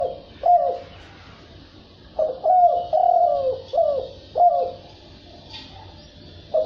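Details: Spotted dove (cu gáy) giving coos in the thúc bổi and gáy gù styles. Low, hollow notes dip and fall, in two bursts of about four coos separated by a pause. A faint high hiss sits in the background.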